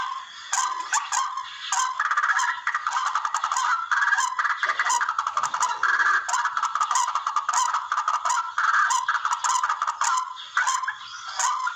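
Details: Barred rail calls used as a lure for bird hunting: a dense, harsh, clucking chatter of rapid repeated notes, nearly continuous for twelve seconds, with sharp high clicks breaking through at intervals.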